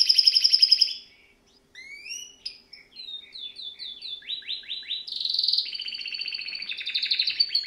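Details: Song of a canary, opening with a loud buzzy trill, a brief pause, then upslurred and downslurred whistles, fast repeated descending notes, and sustained rattling trills at steady high pitch to the end.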